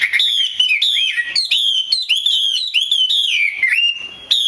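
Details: Chinese hwamei female calling to excite males into song: loud looping whistles, rising and falling, run together in short phrases with brief pauses.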